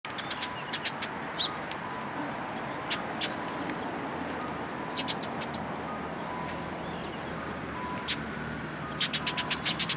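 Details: Sparrows among cherry blossoms at a Tenmangu shrine on 1 April 2023, giving short, sharp, scattered chirps in small bursts over a steady hum of city traffic.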